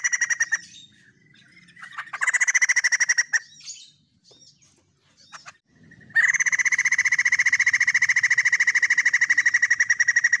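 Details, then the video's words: White-crested laughingthrush in active song, giving bursts of rapid harsh pulsed notes, then a long steady buzzy rattle of evenly repeated syllables lasting over four seconds. "BURUNG POKSAY JAMBUL PUTIH GACOR 100% SUARA TEMBUS"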